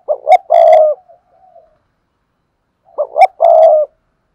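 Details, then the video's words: Lure spotted dove prompting newly caught doves to call; two matching phrases about three seconds apart, each two quick rising coos followed by a sustained buzzy croo, with faint murmurs after the first. "Tiếng chim cu gáy kích bổi nhanh nổi// cu gáy mồi luyện bổi nhanh gáy"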